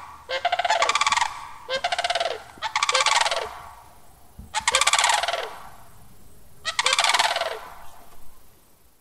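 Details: Sandhill cranes giving rattling bugle calls: five loud, harsh, rolling trumpeting bursts, each about one second long, spaced irregularly over nine seconds. A faint low background rumble runs underneath.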